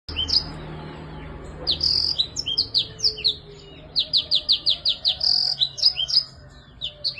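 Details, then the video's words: Black-throated canary song, described as lively and meant as a training recording for birds that have stopped singing: varied high whistled phrases, sharp downslurred notes and a rapid run of about eight repeated chips, with faint low hum beneath. "BLACKTHROAT GACOR UNTUK TERAPI MACET BUNYI"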